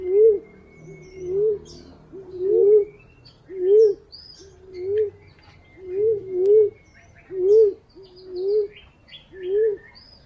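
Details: Green pigeon recorded for luring: about ten short, mellow whistles, each rising and dipping, some doubled, repeated about once a second, with thin chirps and twitters of other birds behind.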